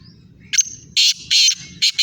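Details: Black francolin in Sindh, Pakistan, giving loud, harsh, grating call bursts: a short note followed by three long rasping blasts, over a steady low rumble.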